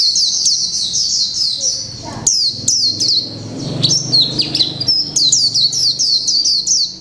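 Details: A Japanese white-eye, a mộc tinh bird kept one month in a cage, delivers its "líu pha chòe trống" song: strings of high, sweet slurred whistles, a fast chattering run midway, then repeated bright notes.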